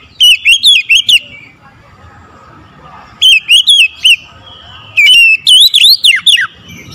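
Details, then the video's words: Oriental magpie-robin morning song, three phrases of quick repeated whistled notes, the last longer and richer with sweeping notes that rise and drop steeply. "OCEHAN KACER DI PAGI HARI"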